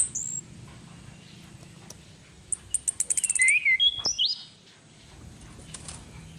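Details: Female orange-headed thrush, used as a lure, gives a short high whistle. Later comes a rapid series of sharp ticking notes blending into warbled slurs, over steady background hiss.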